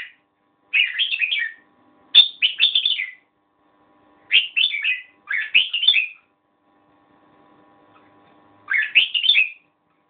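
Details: Red-whiskered bulbul song: five lively phrases of chirpy, slurred whistles, each under a second, given in uneven bursts with pauses of one to two seconds, a faint steady hum underneath.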